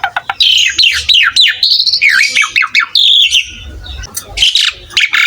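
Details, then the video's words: Asian pied starling singing vigorously, a dense run of swooping slurred whistles rising and falling, interspersed with squeaky chirps and harsh scratchy bursts. "MASTERAN BURUNG JALAK SUREN GACOR"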